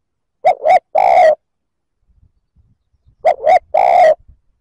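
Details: Two cooing phrases from a spotted dove, each a pair of short hoots and a lingering final note, given to stir up other males; faint soft noises between them.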